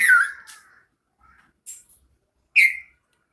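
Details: Bulbul giving a loud scratchy call that falls in pitch, followed by a few quieter short notes and a final sharp, bright note.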